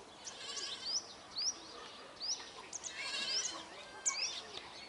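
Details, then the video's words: Flock of Brahminy starlings, also called black-headed mynas, giving short high notes that sweep sharply upward, several overlapping chirps and chatter at uneven intervals over faint background noise. "Black-headed starling ,Brahminy myna or brahminy starling or Sturnia pagodarum Flock"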